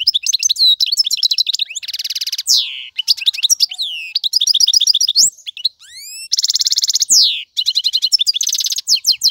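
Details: Male European goldfinch singing to tutor young birds: a long, fast tinkling song of high twitters, buzzy nasal bursts, repeated clipped trills and rising upslurred whistles, delivered almost without pause.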